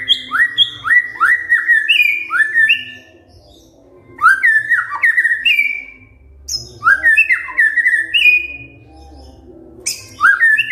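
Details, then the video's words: Kretekan fighter by a white-rumped shama, to make silent shamas respond: bursts of rapid falling whistled slurs and crackling notes, each lasting about two seconds, separated by quiet gaps, with faint low rumbles between bursts. "KRETEKAN FIGHTER✅ BEBERAPA DETIK SAJA, MURAI DIAM PASTI RESPON NYAUT✅✅"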